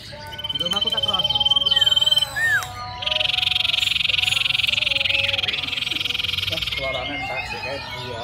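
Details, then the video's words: Common iora singing actively: a thin, level whistle held for about two seconds, then a loud, buzzy, rapidly pulsing trill lasting several seconds, with a short falling note between. People talk quietly in the background. "BURUNG SIRTU CIPOW GACOR DURASI PANJANG"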